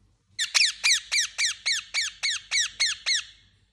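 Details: Parakeet delivering a steady string of eleven bright, down-slurred chirps at a brisk, even pace, with no other sounds.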